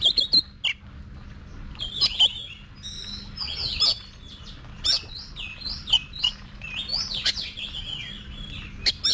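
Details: Oriental magpie-robin practising song for competitions: sweeping whistles and chattering notes, some phrases rising and falling, broken by short silences, with a steady low hum throughout.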